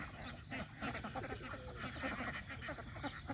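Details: Flock of farm geese, goslings and adults, eating fresh grass by a countryside pond; dense, continuous overlapping honks and chattering calls, with many birds calling at once throughout.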